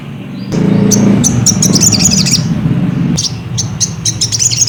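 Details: Ruby-cheeked sunbird chirping, used to provoke another bird into singing: bursts of high, sharp chirps and short trills. A steady low hum and rumble run underneath throughout.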